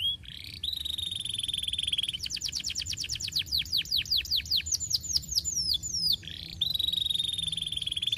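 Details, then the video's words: Canary master song for training: a long steady buzzing trill, then a fast series of descending whistles and high flicked notes, ending with another sustained trill. "Masteran Kenari Gacor"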